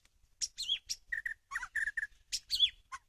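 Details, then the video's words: White-rumped shama song used as a lure for trapping birds: clear, loud varied phrases mixing high sharp notes, sliding whistles and repeated mid-pitched chirps, delivered in quick bursts with short gaps. "pikat burung murai batu"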